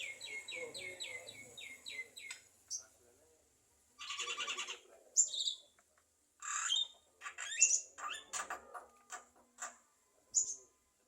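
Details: Javan myna that can talk and copy coughing opens with a quick run of short repeated whistled notes, then harsh buzzy bursts, clicks and squeaky chirps.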